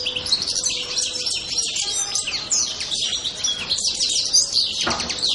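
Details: European goldfinch producing a steady stream of high, bright twitters and trilled notes, fairly loud and unbroken throughout.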